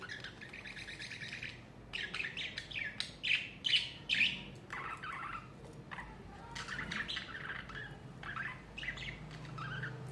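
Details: Pet budgerigars during summer chatter in bursts of rapid, squeaky warbled notes and harsh chirps, with louder scratchy calls in the middle and quieter chatter toward the end over a low background hum.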